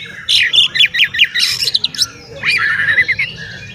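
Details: Oriental magpie-robin in full song, used as a lure to excite other magpie-robins into tail-spreading; a run of rapid whistled notes rising and falling, then a brief pause and another varied warbled phrase.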